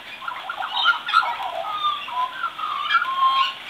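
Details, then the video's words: Baby magpie practising singing, producing a steady jumble of warbling whistles and chortling, slightly scratchy notes that rise and fall without a set pattern. "Baby Magpie Practicing Singing"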